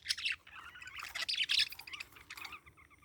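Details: Short run of bright, high parakeet twitters and chirps, dense in the middle and fading toward the end.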